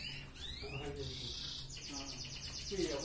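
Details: Red canary singing energetically in the ngerek style, played as a master song to raise breeding drive in females: sweeping whistled notes rising and falling, then a rapid high buzzy trill, over a low steady hum and faint lower voices.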